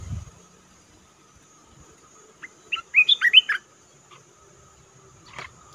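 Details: Olive-winged bulbul lure recording used for bird trapping: a brief burst of five or six bubbly, warbled notes just past the midpoint, with a single soft note before and a faint one near the end amid near-silence.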